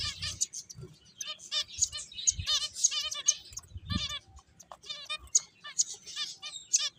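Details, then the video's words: Finches playing, many rapid, high, nasal chirps in quick runs with sharp ticks and a few low knocks. "Cute Birds Chirping Sounds | Beautiful Finches Playing"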